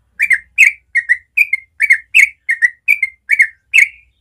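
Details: Natural morning song of a trucukan, the yellow-vented bulbul, in fast 'ropel' style used to train young birds. Steady series of ten bright two-part whistles, each dipping in pitch, spaced about every 0.4 seconds, with a faint low rumble.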